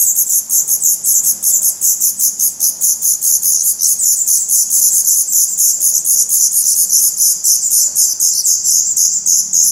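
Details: Black redstart (Phoenicurus ochruros) nestlings with eyes open, at a nest in Portugal, 16 May 2020, beg in a continuous very high hissing chorus pulsing several times a second, with no other sounds clearly heard.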